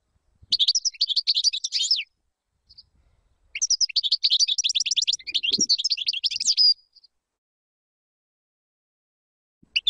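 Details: Error-free European goldfinch song meant for teaching young birds: two long bursts of quick tinkling twitters mixed with short buzzy trills, separated by a quiet gap, with a faint low thump midway.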